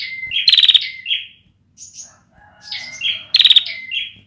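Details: Young bar-winged prinia practising an unfinished song in 2021: a harsh trilled burst with flat whistles, a brief high thin note, then another rattling phrase; a faint lower whistle in the background.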